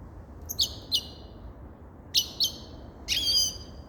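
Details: Grey-crowned goldfinch giving short, sharp, high chirps in pairs, then a longer twittering phrase with a slurred whistle at the end, against a quiet low rumble.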